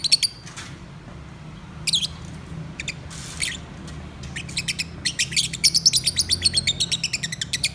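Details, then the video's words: Pet lovebirds singing: scattered sharp squeaks and ticks at first, then a building stream of rapid high chirps in quick even pulses over the last three seconds, with a low background hum. "My Singing Love Birds"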